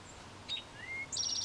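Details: Male Eastern Towhee in a back yard, heard singing his "drink-your-tea" mating song for the first time: a sharp high note, a lower rising slur, then a fast ringing trill, over quiet background hiss.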